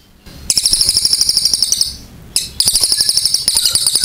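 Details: Cililin delivering long, clear chattering bursts of rapid high notes, one lasting over a second, a brief lull, then another fast sustained chatter.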